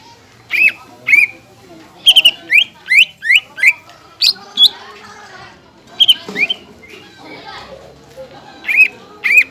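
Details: Greater green leafbird song used as a lure to rouse other leafbirds and tutor young birds: a series of sharp rising chirps and whistled upslurs, given singly or in quick pairs about every half second, with soft background chatter.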